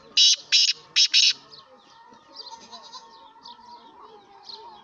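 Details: Six-month-old young black francolin, known locally as kala teetar, calling with four harsh, buzzy, high-pitched notes in quick succession over about a second, followed by faint scratchy chatter.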